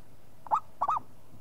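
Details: A brief bubbly coo phrase from a local zebra dove, answering at once: a short note, then a quick rolling double coo, over a low steady hum.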